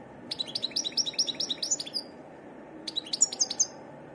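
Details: Wild European goldfinch singing a varied song: two bursts of rapid, bright, high twittering notes, the first lasting about two seconds and the second shorter, separated by a pause, over a low steady background hum.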